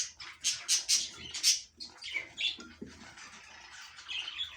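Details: Breeding budgies give bursts of high, scratchy chirps and warbles, loudest in the first two seconds, then softer chattering with a few clicks underneath.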